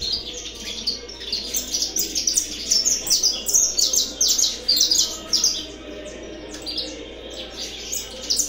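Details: Saffron finch singing again after a break: a lively run of high, sharp chirps and short trills, delivered in irregular bursts over several seconds with a soft background hum, fading toward the end.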